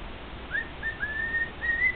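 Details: Male pet cockatiel singing for two other cockatiels indoors: a few drawn-out, steady whistles, one long level note followed by a slightly rising one, over a quiet background hiss.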